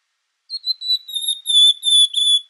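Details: Azulão or twa twa montagne, the blue-black grosbeak, delivering a clear whistled phrase of short notes that grows louder, slightly descending in pitch, in an otherwise silent setting.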